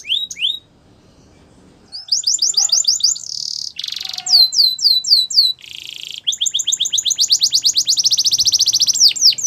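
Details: Yellow canary's morning song, a varied sequence: brief descending whistles, a pause, then rapid high trills, buzzy rolled phrases and looping sweeps, ending in a long fast rattle-like trill of repeated notes.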